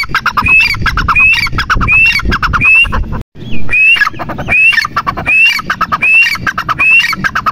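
A grey francolin gives loud, harsh, squawking calls with a rising whistled note, repeated about every three-quarters of a second, with a brief silent break partway.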